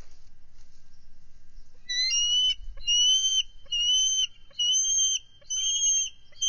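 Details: Bald eagles on high alert at their nest with an egg on 18 February 2023, as an adult intruder eagle enters the territory. After a quiet start comes a run of five loud, piercing, whistled chattering calls, roughly one each second.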